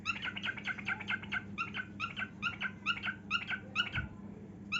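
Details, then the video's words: A cockatiel sings as it dances indoors, a fast steady string of bright, slightly buzzy chirped notes, roughly two to three per second, continuing almost without pause over a faint low hum. "Cockatiel Dancing & Singing"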